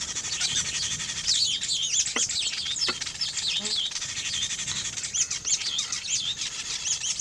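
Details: Nest-building weaver birds in a dense, steady chorus of high twittering and buzzy chirps from several birds, with a few soft clicks in the middle.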